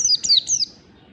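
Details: Oriental white-eye in the morning, ngalas style, used as training lure: three brief, very high, falling whistled notes in quick succession.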